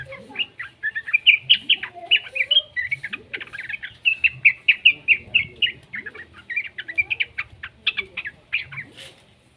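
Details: Yellow-vented bulbul youngster used to prompt singing in other bulbuls: a long, steady run of quick high chirps, roughly two or three per second, with faint lower slurred notes in the background.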